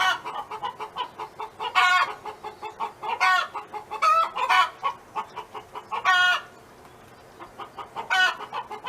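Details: A domestic hen in a neighbour's yard keeps up a run of quick, low clucks. Five loud, ragged, cackling squawks are scattered through it, with a short quiet gap near the end.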